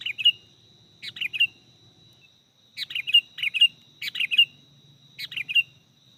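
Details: Sooty-headed bulbul (kutilang) sound used for luring wild birds: short bubbly whistled phrases, each three or four quick rising-falling notes, given in bursts about every second with brief pauses, over a steady thin high-pitched background tone.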